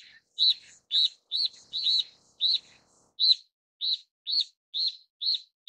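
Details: Steere's liocichla, a Taiwanese endemic bird, repeats short, clear, down-curved chirps roughly every half second. Some notes are paired and a faint softer echo follows them; no other animals or noise are heard.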